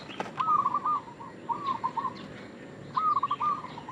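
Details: Zebra dove from a local line producing lure-call phrases: three quick stuttering coo bursts, each a run of clipped notes, with a sharp click near the start.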